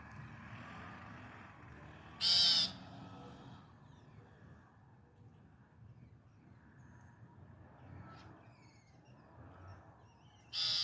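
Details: Hungry baby Loggerhead Shrike chicks of a family in Florida give two loud, harsh, raspy begging screeches, one early and one at the very end, with a quiet low hum between.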